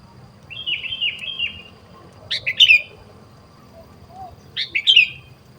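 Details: Sooty-headed bulbul in the wild during bird luring: a soft run of wavering notes, then two loud bubbly phrases about two seconds apart, each a burst of liquid notes ending in a slurred whistle, against faint background hum.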